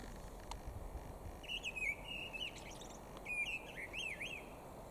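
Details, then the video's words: Mistle thrush singing on 13 April 2021: short fluting whistled phrases, wavering and slightly rising, delivered in two bursts with pauses between, over steady background hiss and a faint high tone. "Misteldrossel (Gesang)"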